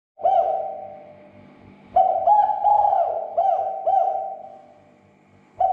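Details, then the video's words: Spotted dove lure call meant to provoke other doves into agitation and calling: low, mellow cooing phrases of several looping notes, one long phrase after a brief opener, with another phrase starting at the very end. "SUARA PERANGSANG TEKUKUR AGAR SEGERA EMOSI DAN BUNYI"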